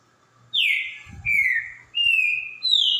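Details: Green-winged saltator song: four loud, clear whistled phrases, each a long slurred note falling slightly in pitch, delivered at a steady pace with brief gaps, over faint low rumbling background noise.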